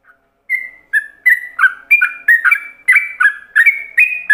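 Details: Yellow-vented bulbul in ropelan style, a master recording for training other bulbuls. Opens with a single sustained whistle, then speeds into a rapid, bouncing series of short, loud whistled notes switching between two pitches.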